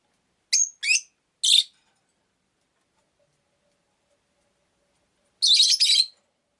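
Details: Rosy-faced lovebird kept as a pet: three quick, shrill chirps in a row, a pause of several seconds, then a short burst of rapid grating chirps.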